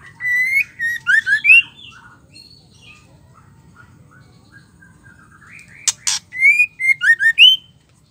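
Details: Female white-rumped shama in captivity singing to goad male shamas: two whistled phrases of quick rising and falling notes separated by quiet murmuring and a sharp double click, low hum beneath.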